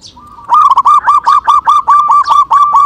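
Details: Local zebra dove, or perkutut, calling as a lure to make other birds call: after a brief quiet start, about a dozen loud, rapid, bubbling coo notes in an even, rhythmic series.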